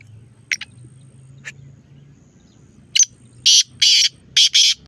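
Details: Black francolin (kala teetar), 9 October: a few faint, short, high notes, then a loud run of four harsh, rasping, broadband bursts in quick succession near the end, over a steady low hum.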